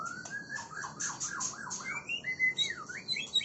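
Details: Oriental magpie-robin singing: a long rising whistle, then a quick series of looping slurred notes, ending in higher sweeping whistles and sharp chirps.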